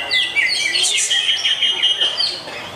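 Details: Greater green leafbird delivering clear, level whistled tones overlaid with quick twittering and a couple of rasping bursts, a short, sweet passage of its song.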